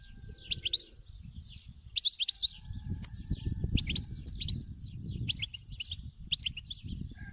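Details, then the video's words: Wild European goldfinch singing in short bursts: clusters of high, bright twittering notes come every second or so, set against a heavy low rumble in the background. "تغريد الحسون الخلوي"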